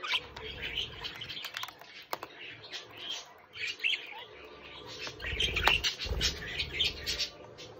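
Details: Pet budgerigar chick giving rapid, scratchy chirps and warbled chatter, with sharp clicks and rustling, wing-like flutters and low handling bumps in the room.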